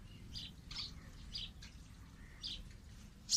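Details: Two sparrows on green tree branches produce spaced, high chirps roughly every second, with a faint lower whistled note between them and a constant low rumble beneath.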